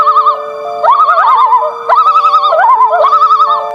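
A loon gives wavering, quavering cries near one pitch, with rising slides between them, in three bursts over soft steady background music.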